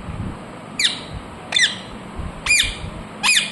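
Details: Natural voice of a pet ringneck parrot. Four piercing, harsh squawks, each bending downward, come at uneven intervals of about a second.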